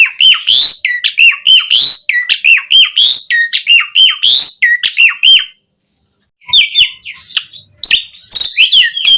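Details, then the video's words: Asian pied starling singing a full, varied song used as a tutor and prompting recording for captive starlings: a dense run of harsh squawks, chirps and short whistled notes, a brief pause near six seconds, then renewed varied chatter. "Suara Jalak Suren Gacor Full Isian Variasi Buat MASTERAN & PANCINGAN Burung Jalak Agar Gacor Isian"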